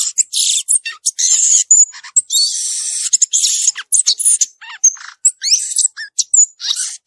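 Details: Violaceous euphonia in nature giving a long, varied song: fast high chips, buzzy notes, brief clear whistles and quick up-and-down slurred notes run almost without pause.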